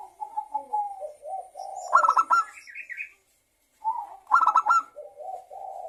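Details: Zebra dove lure song meant to make other doves sing. Soft rolling coos lead into a sharp staccato burst and a brief higher note, then a pause before a second burst and more low coos.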